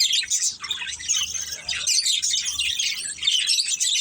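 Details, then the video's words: Budgies in a family group chirp and warble nonstop, a crowded layer of high, scratchy twittering notes with small rises and falls in loudness. "Beautiful Budgies Chirping Sounds"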